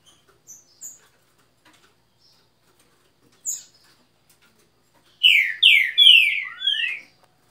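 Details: Green-winged Saltator performing the trinca boi song: a few soft, scattered high chips, then after a pause a loud burst of four downward-slurred whistles ending in a rising then falling note, with a quiet background.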